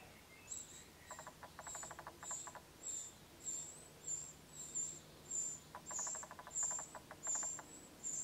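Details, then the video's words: Eurasian wren nestlings at the nest while being fed give thin, very high squeaks about twice a second, with two bursts of rapid dry ticking. "Zaunkönig Fütterung der Jungvögel"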